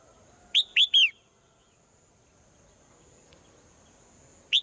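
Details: Swallow song at dawn: a quick trio of notes, two short chirps and a slightly longer falling whistle, then silence and a single short chirp near the end, over a steady high whine.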